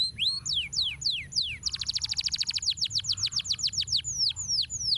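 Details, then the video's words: Canary master song for training birds: loud downward-slurred whistles, then a rapid rolling trill of many fast repeated notes, followed by more descending slurs spaced about a fifth of a second apart. "Masteran Kenari Gacor Ngeroll Nikmat"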